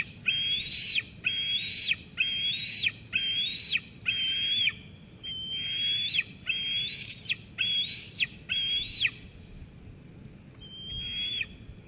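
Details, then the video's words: Eaglet at Sauces Canyon, 13 June 2021, persistently squeeing at its mother after she brings food, until she leaves: a long series of piercing level whistles, each with a downward flick, nearly once a second, then a pause. "Sauces Canyon eagles; Dina squees Mom away"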